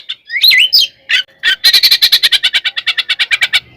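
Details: Oriental magpie-robin singing its provoking fight song in ngekek style: a few swooping whistled notes, then a long, steady run of harsh buzzy notes repeated rapidly and fading slightly toward the end.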